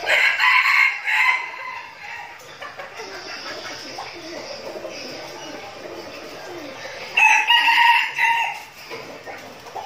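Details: Trained decoy red junglefowl, Bình Phước province, Vietnam, crowing twice: a bright crow at the start and another about seven seconds later, with low chatter and clucks between them.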